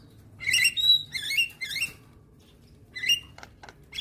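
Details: Javan myna song meant to train young birds to sing, played every morning: a quick burst of bubbly warbled whistles and a pure whistled note, a pause, then another squeaky phrase and clicks.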